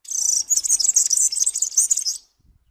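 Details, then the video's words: High, fast jangling song of a European serin, a dense run of squeaky, buzzy notes lasting just over two seconds before stopping, with faint low rumbles beneath. "تغريد طائر السمريس/ البسبوس (الزخنين) chant du serin cini, el verdecillo"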